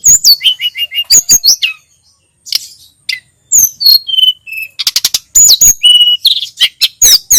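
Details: Sunda robin, a tutor recording: a burst of falling whistles and a quick repeated note, a short silence, then more varied whistles, buzzy chatters and sharp high slurs.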